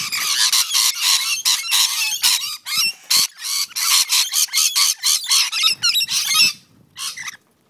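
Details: Backyard rainbow lorikeet fight on the Central Coast of New South Wales: a nearly continuous string of rasping, grating screeches, about four per second, that stops abruptly near the end.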